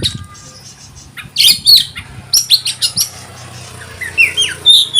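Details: Oriental magpie-robin singing its 'konslet' style, meant to stir other birds into excitement: after a quiet start, bright high chirps and scratchy notes burst out, then sweeping whistles rise toward the end, with steady low background hum.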